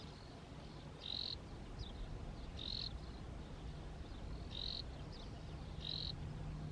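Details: Graceful prinia pair in courtship display on a Saudi farm, short bright buzzy notes given in pairs and singles every one to two seconds, with faint softer notes between, over a loud low rumble.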